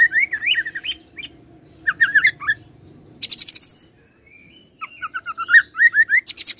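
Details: Oriental magpie-robin song imitating cililin and serindit: wavering whistled phrases, then a short high buzzy rattle, a near-silent gap, then quick rising chirps and a final high buzz.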